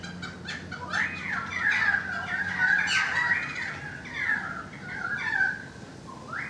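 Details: Currawong song on a balcony, a tumbling series of warbled whistles and quick downslurs, loudest midway, ending in softer rising notes.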